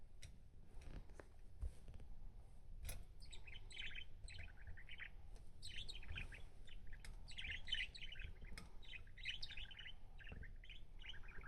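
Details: A mischievous pet budgerigar chatters indoors in rapid, scratchy warbles and chirps, with a low indoor rumble beneath; Budgerigar.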